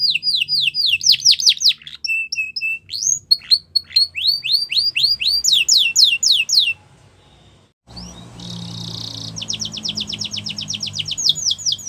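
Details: Russian canary training song: loud falling whistles and clipped notes in quick series, a steady lower held tone, a gap of near silence, then a dense rolling trill resuming with background hum.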